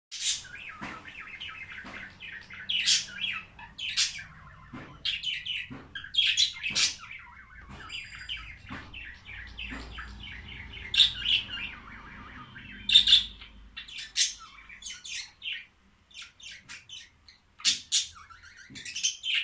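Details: Budgerigar (Melopsittacus undulatus), chatter calls.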